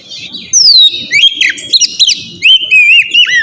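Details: Oriental magpie-robin singing in a lure meant to get a reply: pure descending whistles and quick wavering notes after a quiet start, with soft low noise beneath.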